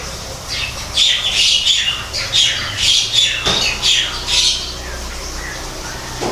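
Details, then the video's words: Greater green leafbird singing in an aviary designed as an artificial natural habitat. Harsh, buzzy bursts with whistled overtones repeat roughly twice per second in a rhythmic run, then fade to quiet. "kicau cucak ijo di alam buatan"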